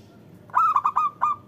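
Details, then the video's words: Single phrase from a local zebra dove, meant to coax silent doves into song: five soft, quickly stuttered coos, the first and last slightly longer and trailing, against faint low rumble. "Panggilan Perkutut Agar Bunyi"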